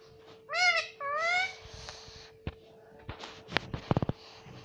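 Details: Talking pet Indian ringneck parakeet: two gravelly, rising, speech-like syllables, then a steady hum with scattered clicks and taps. A quick rattle of ticks comes near the end.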